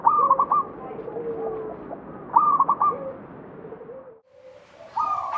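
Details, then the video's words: Local zebra dove near Candi Rimbi, Jombang, repeats its rapid rolling coo phrase about every two seconds, with lower coos behind it; the sound cuts out briefly before another phrase begins. "SUARA PERKUTUT LOKAL MELEGENDA CANDI RIMBI JOMBANG"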